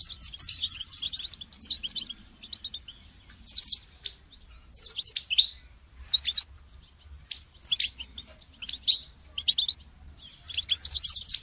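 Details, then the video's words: Goldfinch song used for training songbirds: bursts of bright, high twittering and metallic chirps, separated by short pauses, over a faint low hum. "Motivating goldfinch song training inspiring melodies and techniques"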